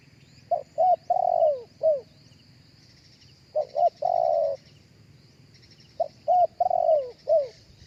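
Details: Spotted dove cooing live, a recording meant for playback through a speaker to lure other doves: three repeated phrases of short low coos followed by a longer drawn-out coo, spaced about three seconds apart.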